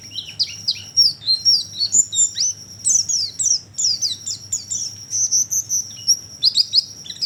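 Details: Oriental white-eye call used as a lure to attract birds: rapid, high, thin chirps and twittering notes, many short downward-slurred notes in quick bursts, over a steady high-pitched whine and faint low hum.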